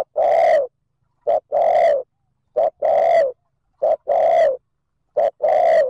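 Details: Spotted dove cooing to lure wild birds: low, rich coos in short-then-long pairs, each pair a clipped note followed by a drawn-out hollow coo, repeated about every 1.3 seconds against a silent background.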